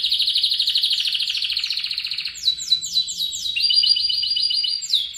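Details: Canary song used as training song for other birds: a long buzzy trill around mid-high pitch, then a series of rapid downward-sweeping whistled notes repeated about four per second, ending in a sustained rolling trill.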